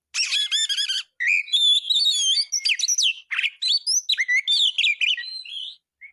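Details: Kacer, the Oriental magpie-robin, in full song as a training tutor: opens with quick repeated rattling notes, then clear rising and falling whistles mixed with rapid chirps over six seconds.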